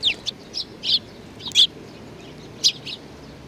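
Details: Sparrows coming to be fed at a Tenmangu shrine on 25 April 2019; sharp, high chirps in short bursts, about one a second, some doubled, over a quiet background.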